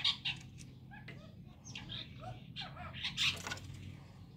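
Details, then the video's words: Several chestnut-tailed starlings at dawn trading varied squeaks, slurred whistles and harsh high notes in quick irregular succession, against a soft low background hum. "Chestnut tailed Starling Enjoying with each other"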